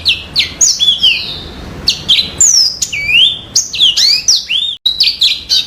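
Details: A yellow-fronted canary delivers a lively, varied song of swooping whistles and sharp chirps in quick succession, with barely any pauses.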